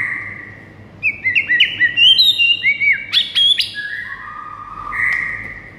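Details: Morning training song of a white-rumped shama: a quick run of bright chirped and warbled whistles in the middle, framed by longer steady whistled notes, with a low background hum.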